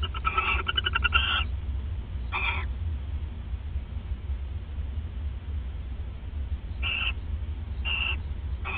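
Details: Owls at the nest, bonding, at 1:26 AM on 29 December 2014; a buzzy stuttering chitter opens, then scattered short rasping notes after long quiet stretches, with a steady low hum throughout.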